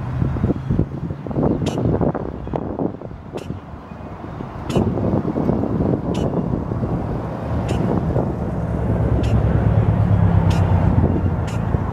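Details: Steady low rumble of road traffic with passing vehicles and faint speech, plus faint ticking clicks; no clear animal voice stands out.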